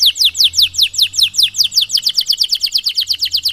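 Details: Loud canary singing a 'cengkok mewah' song used as training for young canaries; a continuous stream of bright descending whistled notes, around six per second, steadily quickening.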